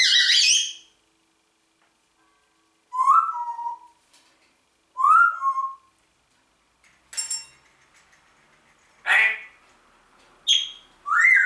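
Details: Indoor Congo grey parrot greeting "Guten Morgen": short speech-like calls and slurred whistles, several sharp bursts spaced a second or two apart in a quiet room.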